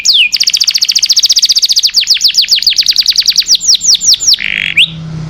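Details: ['Long canary song for tutoring caged birds: a single swooping note, then a steady fast trill of high descending notes, ending in a short rasping buzz and one rising whistle.']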